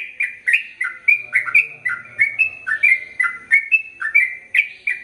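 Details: Long, rapid song of a sooty-headed bulbul: bright, bubbly chirps sliding up and down, following one another almost without gaps.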